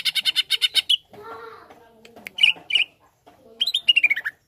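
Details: Greater green leafbird song for stirring up another leafbird: a rapid buzzy rattle, a stretch of faint low murmuring, then chirps and a descending chatter.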